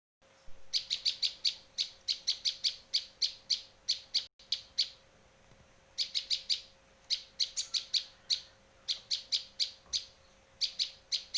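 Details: Bar-winged prinia from Indonesia, recorded as a lure and tutor sound for trapping and training birds: rapid bursts of sharp, high chips fired in quick groups of three to six, briefly pausing, then resuming, with a steady faint hum beneath.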